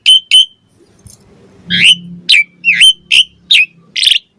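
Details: Asian pied starling song for luring other starlings into answering: two sharp notes, a pause with faint low hum, then a series of rough whistled chirps about every half second.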